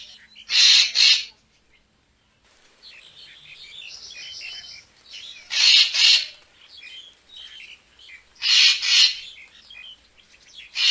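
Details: Racket-tailed treepie calls for attracting birds to photograph: loud paired harsh rasps repeated roughly every four seconds, with softer twittering and buzzy notes between them.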